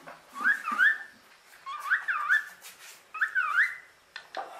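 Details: Captive female common hill myna, kept as a pet and known for talking, gives a loud whistled phrase of rising and falling slurred notes, repeated three times about every 1.5 seconds, with a short harsh note at the end.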